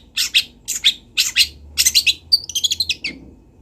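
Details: Long-tailed shrike from Kendal recorded as training material for other birds: paired scratchy harsh notes, a quick rattling burst, then a run of thin high whistled twitters.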